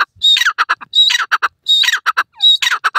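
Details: A francolin (partridge) gives its long call, loud grating phrases, each a thin high note followed by harsh, clicking rasps, repeated roughly every three-quarters of a second.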